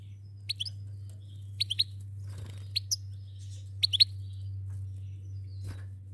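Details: Two goldfinches, a pair, uttering crisp high twittering chirps in clusters of two or three, each cluster roughly a second apart, against a steady low hum.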